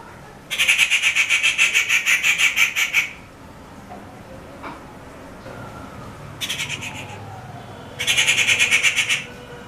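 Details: Rufous treepie, a regular backyard visitor, giving harsh, rapidly pulsed screeching calls in short grating bursts.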